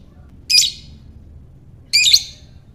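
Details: Lovebird ngekek, used to stir other lovebirds into calling: two harsh, shrill chattering bursts about a second and a half apart, with quiet low background hum between.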